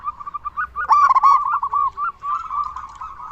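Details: Local zebra dove singing loudly, used as a lure to make other zebra doves answer and to stir breeding urge: a loud stuttering burst of ringing coos, then a softer rolling series of rapid, even, mid-pitched coo notes.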